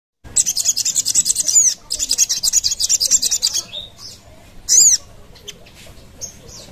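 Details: Sogon call used as a lure, a fast series of high, sharp chirps repeated in two bursts, then scattered thinner notes and a brief loud squeak near the end.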